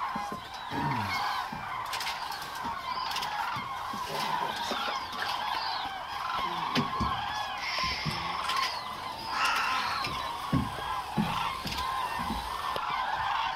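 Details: Large flock of common cranes at Agamon Hula, Israel, in October 2012, calling together in a thick wall of bugling, trumpet-like notes, with occasional low thumps and brief murmurs beneath the chorus.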